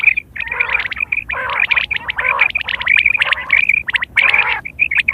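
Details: Quail call recorded September 2023, a call used for hunting and mating. Busy bursts of rough, harmonic chattering notes topped by sharp high pips, coming in clusters roughly every second with short gaps between.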